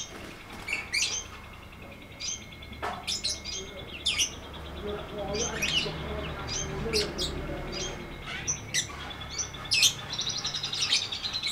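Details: Lovebird ngetik ngekek training song: scattered sharp clicks and high chirps, with rattling trills toward the end and a faint background hum.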